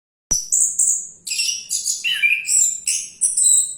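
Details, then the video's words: Orange-headed thrush singing while diving: a loud varied run of high whistled notes, some sliding down, mixed with buzzy chattering bursts and a lower rasping phrase near the middle, phrases following each other quickly with almost no pause. "Anis Kembang || Sambil Menyelam Tetap Lanjut Bunyi"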